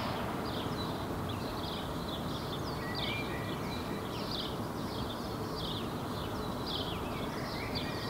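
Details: Northern lapwing foraging in a park in Helsinki, Finland, in June 2016, taking off and giving wheezy, slurred calls, repeated rapidly and faintly, over a steady low rumble of wind and distant traffic.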